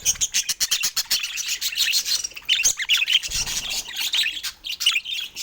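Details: Pet budgerigars chirping in quick, sharp bursts: rapid high chips repeated in clusters, mixed with short warbled twitters, loud and close.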